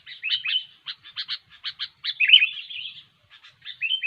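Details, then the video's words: Sooty-headed bulbul singing a chatty song used as a lure for trapping: short bubbly chirps in quick bursts, then a longer warbled liquid phrase, with brief pauses between groups and a quiet background. "SUARA BURUNG KUTILANG GACOR"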